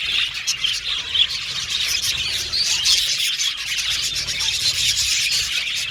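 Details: A busy aviary of budgerigars chirps and warbles nonstop, the high overlapping twitters forming a steady wall of sound with occasional sharper peeps.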